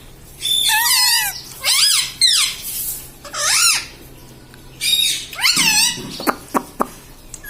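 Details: Indoor pet parrot that mimics mummy and papa: a run of raspy, rich, rising-and-falling harmonic utterances, about five phrases with pauses, ending in a few sharp clicks.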